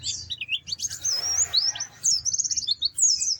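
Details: White-eye twittering continuously with high, thin, wavering whistles and quick slurred chirps, over a soft low hum.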